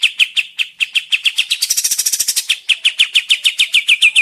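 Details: Sooty-headed bulbul used as a lure to make wild birds answer and sing: a bright run of rapid chirping notes repeated about three per second, with a dense burst of higher buzzy notes in the middle.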